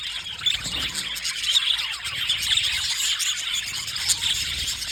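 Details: A pair of blue male budgies keeps up a dense, unbroken stream of high, scratchy chirps and warbled twitters throughout.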